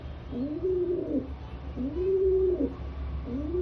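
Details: Rock pigeon producing low burbling coos, each phrase a rolling rise and fall, three phrases close together over a low hum.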